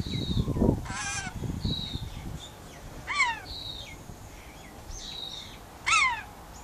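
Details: Pet rainbow lorikeet on a verandah, calling to its outside bird friends with three loud, raspy screeches a few seconds apart. Descending whistles from other birds weave between them, with low thumping and handling noise early on.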